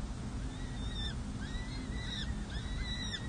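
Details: Peregrine falcon family at a San Jose City Hall nest, May 2024, with four chicks six and seven days old being fed. Thin, curving whistled notes come in three spaced bursts over a low droning hum.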